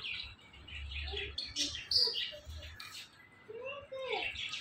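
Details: Five-year-old pet parrot, a talking bird, gives scattered chirps and short harmonic, voice-like squawks, with a low steady hum beneath.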